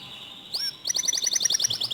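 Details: Short burst of canary song intended to get other canaries singing: a high sliding note followed by a quick sparkling trill.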